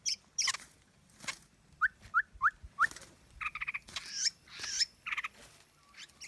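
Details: Trapping-lure recording of a white-rumped shama: four short upslurred whistles at an even pace, then buzzy, harsh, harmonic notes and sharp high clicks in an irregular run.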